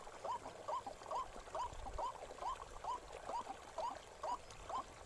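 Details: White-breasted waterhen in a forest: quick repeated upward-hooked notes, slightly uneven in timing, about two each second, over a noisy low background.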